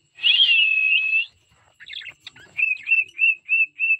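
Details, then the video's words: Singing cockatiel opens with a long whistle that starts bright and wavering and then steadies. A scratchy, broken passage follows, then a rapid run of short level whistled notes. "cocktail so cute birds singing songs"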